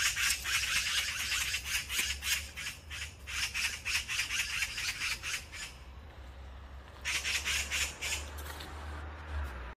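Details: Young Oriental magpie still unready to leave the nest, chattering in a long series of coarse, scratchy squawks, uneven in spacing, then a brief lull before a shorter burst, over a low rumbling background.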